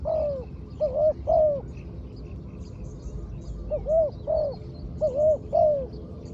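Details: Spotted dove, a trained decoy bird kept for luring on the ground. It gives two bursts of deep, rounded coos, three notes then four, each slightly arched in pitch, with a quiet gap between. Soft distant bird chirps are heard.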